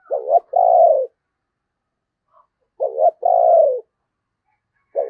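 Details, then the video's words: Decoy spotted dove, used at Tet to draw in wild doves, giving a clipped wavering note followed by a long, smooth falling coo, twice, with a third phrase just starting. "Tiếng Chim Cu Mồi Thúc Gù Cực Hay và Hắp Dẫn Để Anh Em Kích Bổi Mùa Tết"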